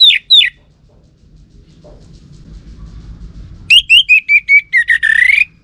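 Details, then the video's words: Orange-headed thrush lure sound used to draw replies from males: two sharp downslurred notes, a pause, then a fast series of about eight whistled notes ending in a long, rising, buzzy note. "Ga Bunyi Dengan Pancingan Burung ANIS MERAH Ini dipastikan Itu Burung Betina, Jantan Pasti Nyaut"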